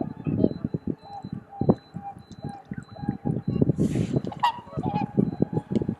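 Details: Swans at Kotoku-numa pond, Japan, before sunrise in the blue hour. Short honking swan calls break through repeated low gusts of wind, with a brief hiss partway through, recorded on a camera's built-in mic.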